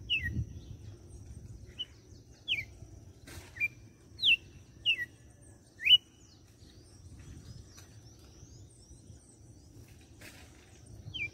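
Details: Red-cowled cardinal from Fortaleza, Ceará, Brazil, giving scattered short whistled downslurred notes of the açoite song, sparse and fairly quiet, with pauses between them and a steady low background hum.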